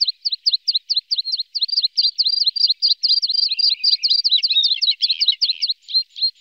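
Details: A Red-spotted Bluethroat in Norway, one of a pair with young, gives quick, high, ringing notes about four or five a second, running into a denser, scratchy, varied stretch. Nothing else is heard.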